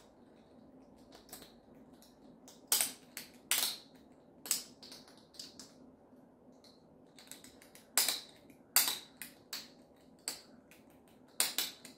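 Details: Irregular dry crunching and clicking sounds in a quiet room, with no animal voice.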